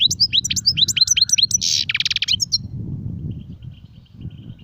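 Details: European goldfinch song, named as sarfati and guezrati styles: quick, tinkling, high twitters and upslurred notes lead into a harsh buzzy rattle, then fade, leaving a constant low background hum.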